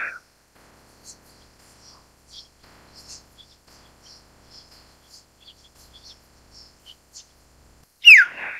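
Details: Quiet stretch of faint, high twittering from distant small birds, ended by one loud common hill myna (Gracula religiosa) call, a falling whistle with a harsh raspy edge, cut off at the end.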